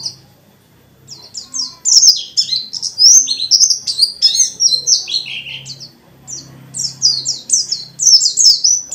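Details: Dakun white-eye, a kept bird singing energetically in a dense forest style with many varied fill-ins, meant to provoke other white-eyes into singing; high, rapid chirped and whistled phrases, mostly descending slurs, in bursts after a quiet first second.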